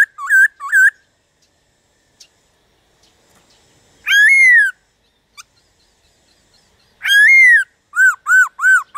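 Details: Black-throated laughingthrush giving loud whistled notes to provoke other birds into singing. Short paired whistles open, long gaps follow, then an arched whistle and a fast series of looping notes close the passage.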